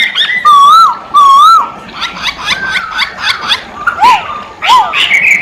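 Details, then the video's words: Masked laughingthrush in energetic song. Two loud, wavering whistles open the phrase, followed by rough chattering notes and then two downslurred whistles with harsh calls between them. "Poksay hongkong gacor kicau poksay hongkong gacor mp3"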